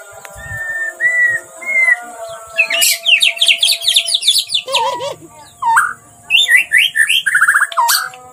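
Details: White-rumped shama singing loudly and agitated: a few clear whistled notes, then bursts of rapid high twittering trills, low slurred whistles and more fast chattering phrases, with a steady faint electrical hum underneath.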